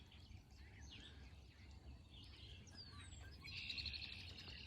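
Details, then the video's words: Red-winged Blackbirds in a valley below a mountain climb on an Appalachian Trail thru-hike give scattered high chips and whistles, then a brief buzzy trill, over steady low rumble of wind and walking. "can hear the red-winged blackbirds."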